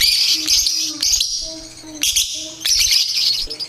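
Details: Lovebirds in a recording used as competition bait chatter in shrill, harsh, rapid chirps that come in dense bursts almost without pause. A faint low tone sounds underneath.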